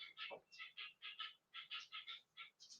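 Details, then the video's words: A young helmeted guineafowl keet on a farm, one of two that have just started calling, thought to be a male, gives harsh, buzzy notes about four times a second, each a short grating chirp. "Do you hear the guinea fowl? Cheat, cheat, cheat."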